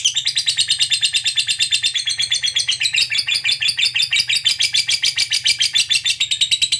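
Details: Lovebird long ngekek trill meant to set other lovebirds singing: an unbroken, rapid, rattling chatter of high pulsed notes, about three per second, even in loudness across the whole stretch, indoors.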